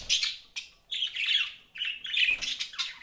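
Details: Pet budgerigar chirping in short bursts of buzzy, slightly whistled warbles, with brief dips between phrases and a faint thump.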